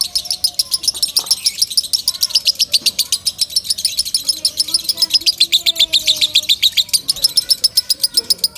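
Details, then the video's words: Loud lovebird song used for training other birds: a long run of sharp, high chirps repeated about three to four times per second, steady throughout, with faint lower whistles beneath. "Suara Kencang Lovebird"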